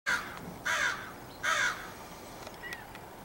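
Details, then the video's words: A crow recorded in the morning gives three loud, harsh caws about 0.7 seconds apart, followed by quieter faint sounds and a soft background hum. "Cassius Crow in the morning"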